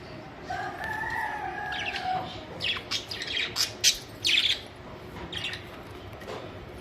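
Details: Budgerigars (Melopsittacus undulatus) singing in the morning on May 26, 2023: quick, scratchy chirps and squeaks of chatter following a long, drawn-out tonal call.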